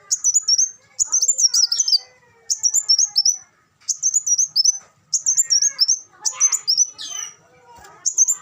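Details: Olive-backed sunbird song for training caged birds: high, thin twittering phrases about a second long, repeated after short pauses, with fainter lower chirps from other birds beneath.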